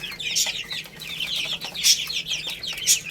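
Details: Young chickens eating rice give a busy flurry of high, short peeps, several overlapping at once, with a few louder piercing chirps and tapping clicks.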